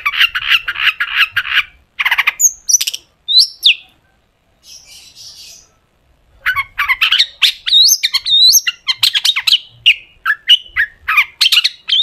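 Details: Long-tailed shrike song played to make shrikes sing: rapid repeated harsh chatter, a few slurred whistles, a faint hiss, then renewed bursts of scratchy notes and rising whistles.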